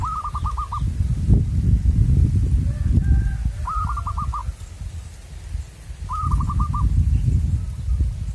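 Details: Zebra dove singing in the wild as birds are lured for trapping: three bursts of five or six fast, ringing coo notes, a few faint separate calls between, and heavy low-pitched background rumble.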